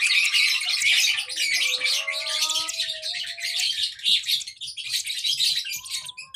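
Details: Lovebird chick chirping loudly in harsh, high squeaky bursts that ease off in the second half, with a few lower whistled notes early on.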